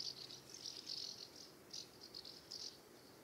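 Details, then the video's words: Dense, rapid chirruping from common house martins in flight around the nest site, UK summer; rattling high notes run together in quick clusters for about three seconds. "House Martin Calls and Nest Site"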